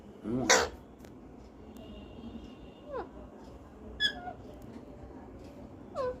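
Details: Pet parrot imitating a cat's meow after prompting by its owner: four separate falling, nasal meow-like calls spaced about one to two seconds apart, with the owner's voice heard at the start.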